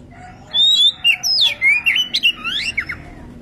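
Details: Oriental magpie-robin female in breeding condition calling her companion with a rapid, varied medley of swooping, rising and falling whistles and harsher twisting notes, densely packed over three seconds against faint background noise.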